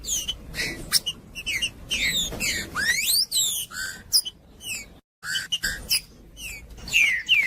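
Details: Green-winged saltator song meant to excite other saltators and teach chicks: a dense run of whistled notes and swooping slurs, one long rising sweep in the middle, a brief silent break, then more sharp whistles.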